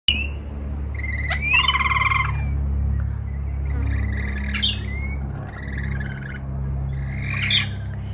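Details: Wild rainbow lorikeets, a pair with their extended family visiting a balcony in Melbourne, Australia, give harsh, buzzy screeches in bursts about every two seconds, with a few high rising whistles between them, over a steady low rumble.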